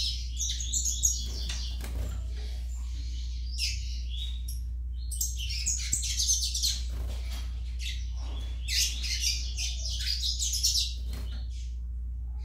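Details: Young Yellow-bellied Seedeater practising song in separate bouts of rapid, twittering high notes and buzzy chirps, with quiet gaps between phrases and a persistent low hum in the background.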